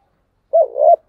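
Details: Spotted dove cooing in the thúc gù style: after silence, a low hooting note runs into a longer wavering coo, and the next coo begins just as the recording ends.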